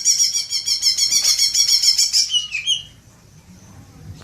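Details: High, rapid chatter from a greater green leafbird, played as a lure to spur long 'ngekek' chattering: evenly pulsed, bright notes for over two seconds, ending in a short slurred downward whistle, then quiet.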